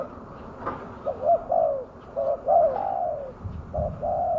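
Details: Lure recording of a spotted dove for attracting wild doves: soft low coos, short notes followed by longer falling ones, with a few faint clicks and knocks in the background.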